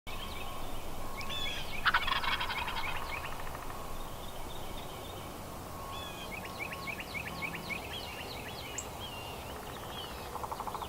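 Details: Big wild turkey gobbler in spring: a loud rattling gobble bursts out near two seconds, then a second fainter rolling gobble follows, over constant low rumbling noise and small birds chirping.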